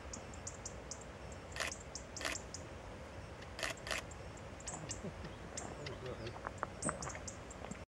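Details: Radde's warbler at Kilminning, Fife, on 21 October 2012, giving short, dry, clicking 'tchek' notes at irregular intervals of about a second, over a steady background hiss with faint high twitters from other birds.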